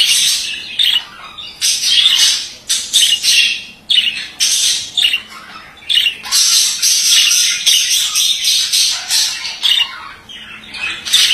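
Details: Male budgerigar chattering almost nonstop, a dense stream of harsh, buzzy squawks and twittering warbles with only brief pauses, loud and high throughout.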